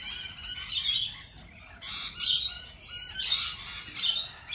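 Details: Flock of lorikeets calling at a cafe, loud rasping screeches in bursts about every second, separated by quieter chatter and a thin sustained whistle from other birds.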